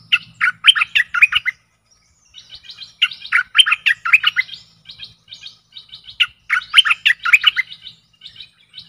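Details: Bubbling, throaty phrases from a stripe-throated bulbul, recorded as decoy song for aggressive wild birds, alternating with lighter high trills, repeated about three times with short pauses.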